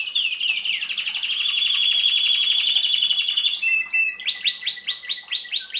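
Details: Domestic Belgian canary singing in 2016 in 'bagassando' style for chick tutoring; a long buzzy rolling trill held steady, followed by a series of bright rising-and-falling sweeps.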